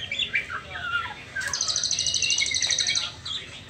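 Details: Juvenile white-rumped shama in its spotted trotol stage, before the pastol stage, giving short warbled and whistled phrases, followed by a fast, even, ticking chatter high above that runs for about two seconds.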